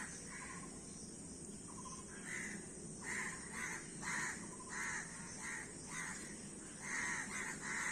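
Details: A flock of crows giving hoarse caws, singly at first and then in quick overlapping bursts about every half second, over a steady hiss.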